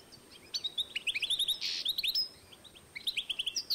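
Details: Goldfinch x canary hybrid from 2012 singing brisk, high, twittering phrases of clipped chirps, broken by a brief raspy buzz, then a short pause before the twitter resumes.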